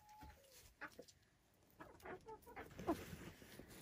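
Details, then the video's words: Silkie chickens kept on a Vermont hill homestead, giving soft scattered clucks and brief murmuring notes, with one thin drawn-out tone early on and a louder cluck near the end against a faint background hiss. "Relaxing Silkie Chicken Sounds"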